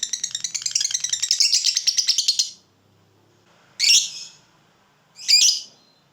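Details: Lovebird ngekek, a long trilling song used as a tutor recording for young birds: a rapid buzzy rattling trill for over two seconds, then two short harsh high bursts after pauses.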